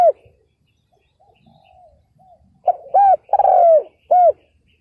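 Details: Faint distant dove coos first, then a loud decoy spotted dove answers with a crisp phrase of short hoots around one long, drawn-out falling coo, meant to lure wild males.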